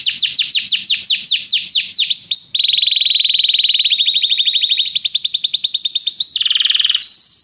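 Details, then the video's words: Canary song for training a canary to sing, moving through phrases: fast falling slurs, a long steady rattling trill, a higher trill, then a lower buzzy tour and a final high note. "Este canto canário inspira o apetite do seu canário para cantar imediatamente"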